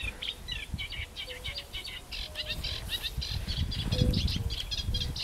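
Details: Eurasian reed warbler on ponds at Jaktorów, Poland, 10 May 2022, with river warbler and fire-bellied toads nearby: fast, jerky chattering phrases repeated several times a second, soft hollow toad notes and low background rumble beneath.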